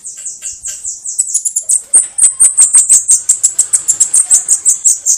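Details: Canto de foguear of the Bananaquit, a fast stream of piercing, high-pitched clicks and buzzy ticks that grows louder midway and keeps a steady, hurried rhythm to the end.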